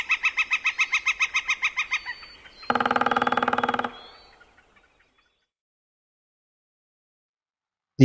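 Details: Northern flicker from West Michigan: a fast series of about sixteen evenly repeated, crisp ringing key notes over two seconds, followed after a short gap by a harsh one-second rattling burst, then silence.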